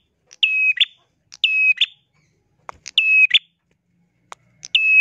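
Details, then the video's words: Bar-winged prinia (prenjak) calling lively: each phrase a sharp click, then a flat, level whistle, then another sharp note. Phrases repeat roughly every second and a half in otherwise quiet surroundings. "PANGGILAN BURUNG PRENJAK GACOR"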